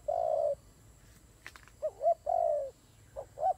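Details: Cooing from fighting doves: a long low burry note, then a faint sharp click, rising and falling wavering coos, another long coo and a final quick pair.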